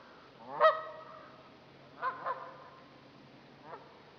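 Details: Trumpeter swans at Dixon Lake in Itasca County, Minnesota: one strong resonant honk, then a quick pair of softer honks and a last faint note, with long quiet gaps.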